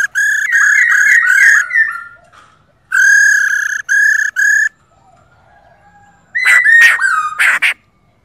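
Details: Female silver-eared laughingthrush heard to spur a male into full song; bright whistled phrases of quick repeated notes in two long bursts, then a quiet gap and a final cluster of rising slurred whistles mixed with harsh notes.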